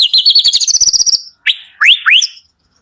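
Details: White-rumped shama singing in the morning, used as a lure to prompt reluctant shamas to sing: a fast run of high, sharp chips, then three loud rising whistled notes.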